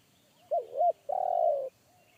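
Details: A wild spotted dove in forest with a heavy bass one-kuk voice, heard by a decoy dove in training that shied away. Two short arched coos, then a long, even, rolling coo, with quiet background.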